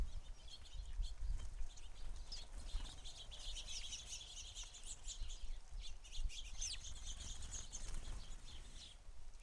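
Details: House sparrows, many together at a feeder, chatter in a thick wash of chirps that swells in the middle, with one clear down-slurred note standing out.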